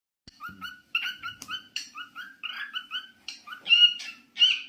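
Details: Cockatiel singing: repeated short whistled two-tone notes in a bouncy pattern, several louder rising whistles toward the end, in a quiet indoor setting.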